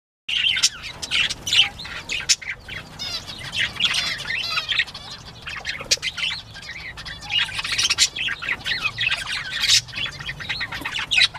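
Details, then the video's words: Northern bobwhite quail at play, recorded 19 April 2017 at 10:13 AM: a dense, overlapping chatter of high chirps, squeaks and short squawks from several birds, with bursts of louder activity near the start and around the eighth second. "Bobwhite Quail playtime"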